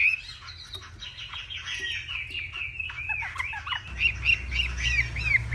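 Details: Northwestern hwamei in morning contest song: somewhat muffled, fast jumbled warbling and chattering notes, then clearer bright whistled accents toward the end over low-frequency hum.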